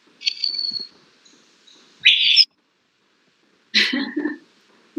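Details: A babbler gives a thin, high whistled note, then harsh buzzy bursts about every two seconds, one ending in a sharply falling tone likened to a bomb dropping or something falling off a cliff.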